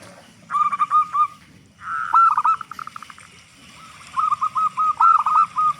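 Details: Local zebra dove with a big voice, used as a lure to get other zebra doves singing quickly: three bursts of short, even cooing notes at about four per second, separated by brief pauses, over faint low background rumble.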